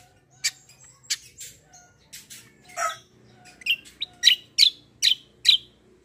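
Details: Black-winged myna in full competitive song, starting with scattered chirps and a rasping note, then a run of five loud evenly spaced sharp chirps, with a faint hum underneath.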